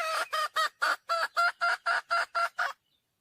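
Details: Wild red junglefowl hen calling for a mate, a fast, regular burst of about eleven loud, ringing cackles, four per second, ending abruptly in silence.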